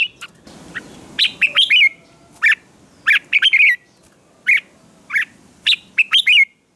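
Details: Red-whiskered bulbul singing in the morning as contest training: brief phrases of quick warbled, downslurred whistles, spaced irregularly, over a soft noisy background at the start.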